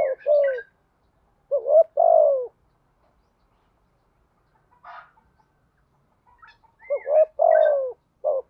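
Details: Spotted dove male and female calls, used for training cage doves and luring wild birds: groups of low, throaty coos, some short and rising, others long and falling, separated by several seconds of silence, with faint higher chirps.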